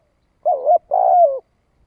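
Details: Spotted dove decoy in thổ đồng voice, luring wild doves: two low notes, a wavering coo and then a longer rolled, slightly falling purr, in a quiet background.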